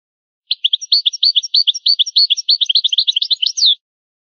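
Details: Rare old recording of the original goldfinch song style: a European goldfinch repeats crisp, high chirping notes in steady rhythm for about three seconds, speeding into a tumbling trill and ending on a sweeping note.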